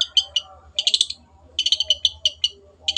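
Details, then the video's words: Cendet in 'gacor' tutor song: clusters of rapid, harsh, chattering notes in quick bursts, separated by short pauses. "MASTERAN BURUNG CENDET GACOR"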